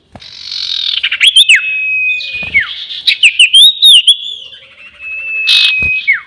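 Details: Sirtu bird lure call for trapping: long level whistles with falling ends, mixed with a rapid series of bright twittering chirps in the middle, over a soft hissing background.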